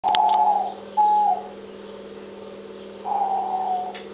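Diamond dove giving three soft, drawn-out mellow coos over four seconds, each steady then slightly falling, with a constant low mechanical hum underneath.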